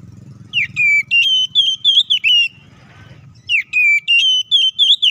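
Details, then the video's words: Oriental magpie-robin delivering a loud fighting song to provoke rival birds. Two bursts of fast, shrill whistled phrases with steep downslurs, split by a short softer pause near three seconds, low hum beneath at the start. "KACER GACOR NGEPLONG TARUNG KONSLET❗PALING AMPUH BUAT PANCINGAN KACER AGAR EMOSI!"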